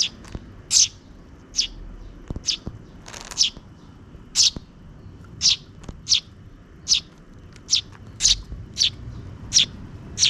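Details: Begging sparrow chicks, two of them, fed by a parent bird in a park as dusk nears: a steady series of about seventeen piercing, high chirps, some in quick pairs, over ten seconds.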